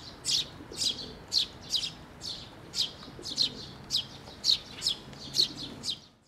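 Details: Recently fledged sparrows flying in for food at a shrine's water bridge on 11 May 2024: rapid, insistent high chirps nearly two per second, evenly loud throughout.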